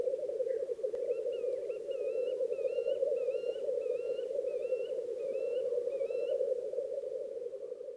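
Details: Black grouse chorus at a Krasny Bor lek with females present: unbroken bubbling drone throughout, overlaid by a series of wavering, warbled whistles repeated about twice per second from another bird.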